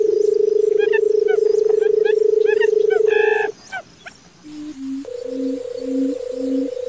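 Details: Barred buttonquail calling: a long, steady low purring drone for about three and a half seconds, then a few short low hoots and a further drone. Other bird chirps are overlaid throughout.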